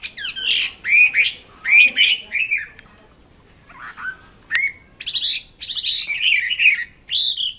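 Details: Chinese Hwamei (wambi kembang mandarin) singing actively: loud, varied whistled phrases that swoop up and down, with harsher rasping notes in quick bursts and a short pause midway.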